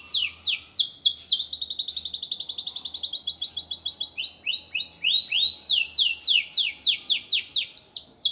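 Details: Lizard crossed with local canary, first-generation hybrid, warming up its song in the morning: rapid high repeated trills of sweeping notes, one fast steady roll, then slower rhythmic downslurred notes about four per second; faint low hum beneath.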